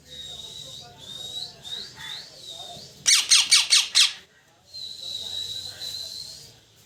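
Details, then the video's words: Parrot chirping: thin whistled notes near one pitch, some sliding upward, then a burst of five rapid harsh squawk-like pulses, followed by more sustained high whistling. "parrot Chirping sound"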